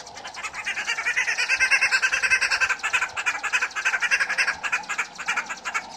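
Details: Red-billed wood hoopoes feeding their chicks give a harsh, rapid cackling chatter of dense pulsed notes that swells and then pulses unevenly, several birds calling together for six seconds.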